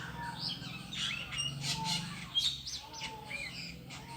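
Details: A bird perched alone on a tree calls with sharp, high chirps and short rising and falling whistles in quick irregular bursts, over a steady low hum.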